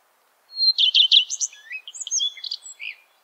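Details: Common Redstart singing: a brief phrase opening with a thin whistled note, then three quick repeated buzzy chirps followed by a varied twittering jumble of high, scratchy notes, about two and a half seconds long, on a quiet background.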